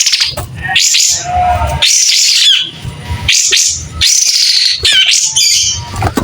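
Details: White-rumped shama singing steadily while fanning its tail, its voice described as clear: loud bursts of whistled, warbling phrases with sharp upsweeps, separated by short pauses, plus a low background rumble.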